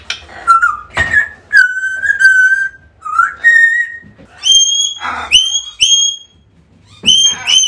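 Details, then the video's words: African grey parrot whistles to entice a lost bird home: low wavering whistles, a long level whistle, then several crisp upslurred notes with clicks between. "AFRICAN GREY SOUNDS CALLING"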